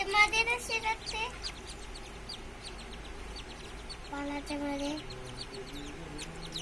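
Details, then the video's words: Whistling duck ducklings: a dense run of high, short peeping chirps throughout, with a few lower, drawn-out harmonic calls at the start and again after about four seconds. "Whistle duck|cute baby birds|"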